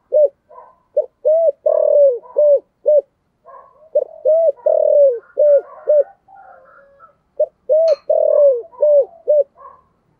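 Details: Spotted dove in the prized 'giọng thổ' voice style, giving loud cooing phrases: groups of short hollow coos around one low pitch, each phrase ending in a longer drawn note, repeated about every three seconds, with faint chirps between.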